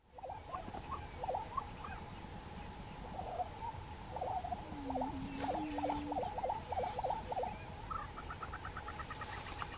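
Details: Grouse displaying on a lek in Colorado in 2023: a busy run of short, clipped popping notes repeated rapidly in irregular bursts, with a few longer drawn tones underneath and steady outdoor background noise.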